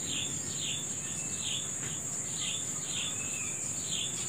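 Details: Early-morning bird, natural setting: clear downward-sweeping chirp notes repeated at a brisk, fairly even pace, about eight in total, over a continuous high-pitched buzz of insects.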